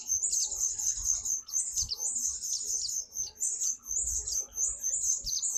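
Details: Vigorous white-eye song: high, sibilant chirping notes run together in fast bursts, with brief dips between runs and soft low rumbling underneath.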